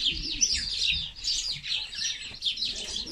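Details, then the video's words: House sparrows fighting: dense, overlapping chirps and harsh chatter, bright and high, tumbling over one another in rapid bursts with brief dips between them. "Sparrow Birds Fighting - عصفور الدوري"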